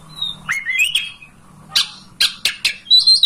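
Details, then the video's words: An oriental magpie-robin sings a varied run of clear, rising whistles and short buzzy, scratchy bursts, ending on a bright sliding note; the song is used to prompt other magpie-robins to fan their tails and display. "Masteran kacer agar ngobra"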